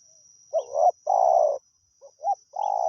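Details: Spotted dove, a wild bird answering a decoy, sings a short hoot, then a sustained, grainy coo. After a pause come two quick notes and the start of another long coo, over a steady high whine.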